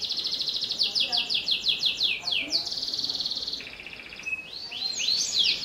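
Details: Canary song for prompting young canaries: a rapid trill leading into a run of descending slurred notes, a steady buzzy roll, then bright rising sweeps at the end.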